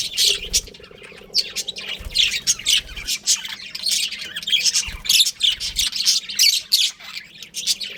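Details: Chirping budgerigars of a breeding pair; harsh squawks and chirps in rapid, uneven bursts, with occasional low knocks and a faint hum beneath.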